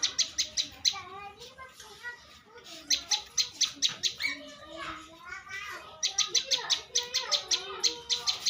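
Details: Bar-winged prinia, a champion contest bird, repeating fast dry clicking notes in three long runs, while busy warbling and slurred whistles from other birds fill the pauses.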